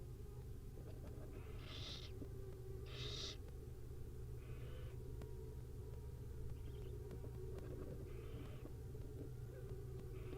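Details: Barn owl nestlings covered in mosquitoes, giving harsh hissing bursts that start louder and become fainter, spaced one to two seconds apart, over a steady low rumble.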